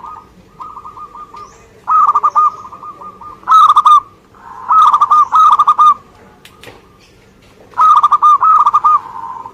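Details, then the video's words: Local Indonesian zebra dove singing actively: quieter rolling coo notes, then loud purring, trilled coo phrases around one pitch in short bursts about every one to two seconds. Softer coos from another dove continue between them. "Suara Gacor perkutut lokal"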